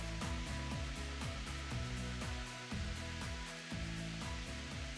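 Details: Rhythmic instrumental music with a steady beat about once a second fills the recording, with no animal call audible.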